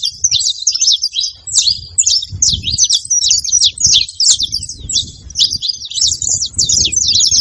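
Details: A saffron finch pair, male and female, keep up a busy chatter of quick, high, sharply slurred chirps, closely packed and overlapping, over a soft low background murmur.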